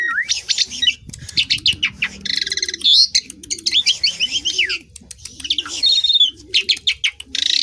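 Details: Asian pied starling song: varied rising whistles, fast chirps, trilled buzzy rattles and squeaky slurs delivered in bursts. Rhythmic low cooing calls sound in the background.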